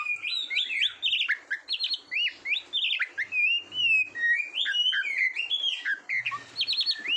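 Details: Competition-training song of a kacer, the Oriental magpie-robin: quick repeated whistled upslurs, roughly two a second, with short warbled phrases and a few high trills.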